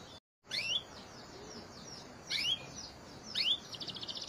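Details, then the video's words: Quieter canary song from a long therapy recording: short bursts of bright rising whistles about every second, with low background hiss, and a rapid high trill beginning near the end. "TERAPI KENARI ISIAN GACOR PANJANG | CANARY SINGING"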